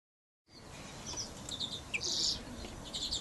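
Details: Male European greenfinches kept for the 2012 breeding season twitter in high, quick chirps, with one brief wheezy burst in the middle, over a steady background hiss.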